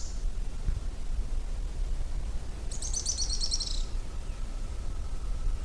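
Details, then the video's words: Araucaria tit-spinetail song: a single very high, rapid, evenly pulsed trill lasting about a second, set against constant low-pitched background rumble and little else. "Magnífico Canto!! Pássaro Grimpeiro"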